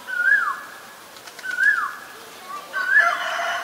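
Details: Common myna, Ubon Ratchathani, Thailand, February 28, 2022, Nikon P1000. Three loud whistled calls rise and then fall, spaced over a second apart. The last call is fuller and rougher, with a brief low note before it.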